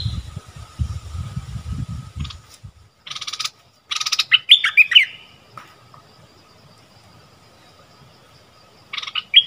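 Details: Streak-eared bulbul kept as a decoy to lure wild birds, recorded 25 January 2021 as the first wild bird of the year is caught: brief bursts of bright chattering notes after low rumbling noise, with quiet gaps and a final short phrase.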